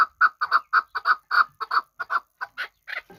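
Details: Chukar partridge from Kabodiyon, a hunting bird, calling in crisp, clear chuk notes, often doubled, fast at first then spacing out and turning rougher and higher at the close.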